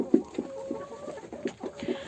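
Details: Backyard hens in a henhouse at 5 pm evening feeding, sick with laryngotracheitis, sneezing and coughing: short, low, husky bursts about every quarter second under a thin drawn-out note, coughs and clucks from ill birds.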